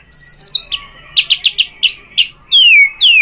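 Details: Short white-rumped shama lure song: a quick high trill, a string of sharp clipped notes, then two long whistled slurs sweeping downward.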